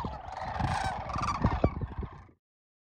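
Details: Brief burst of sandhill crane calls at Whitewater Draw, McNeal, Arizona, January 19, 2023: several rolling, trumpeting voices overlap with some low thumps before ending abruptly.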